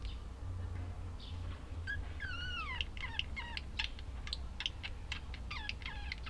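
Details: Budgerigars chattering, starting soft, then a series of falling whistled notes followed by fast clicking, ticking chirps over steady low background hum.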